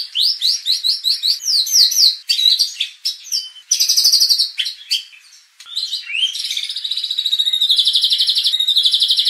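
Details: Contest-training lure of white-rumped shama, meant to anger rivals into unloading their repertoire; varied rapid sweeping notes, bursts of trills, a short lull, then a long fast buzzy rattle ending the phrase.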